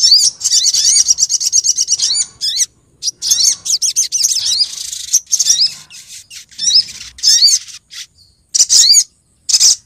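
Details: Lure recording of a female olive-backed sunbird calling the male, from Lumajang, Indonesia: dense runs of rapid, high, thin twittering notes, then scattered short chirps and brief pauses toward the end.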